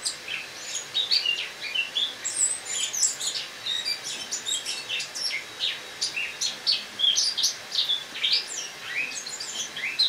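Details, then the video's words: Caged Eurasian blackcap (Sylvia atricapilla) singing its autumn song on the morning of 1 October 2017, indoors in a kitchen where it was brought from a loggia to overwinter; a captured wild bird. Continuous quiet warbling of rapid chirps, twitters and short whistled notes, unbroken for ten seconds, over faint background hiss. "Осеннее пение славки-черноголовки (Sylvia atricapilla)"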